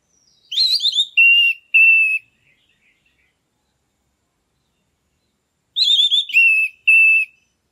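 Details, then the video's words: Orange-headed thrush kept captive, singing to rouse other birds into breeding condition: two matching phrases about five seconds apart. Each is a quavering high note followed by two steady, level whistles, with silence between. "ANIS MERAH GACOR NGEPLONG"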